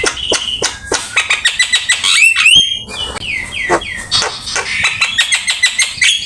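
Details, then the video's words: Black-winged myna master song for training: rapid clicking ticks followed by a series of loud arched whistles that rise and drop, then more fast chatter. "Suara jalak kebo gacor !! Full isian ,masteran asik"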